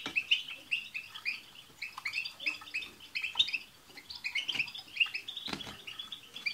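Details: European goldfinches singing as a group to prompt a pet goldfinch: a steady stream of high chirps and twitters, slightly distant, with soft clicks and tapping noises mixed in.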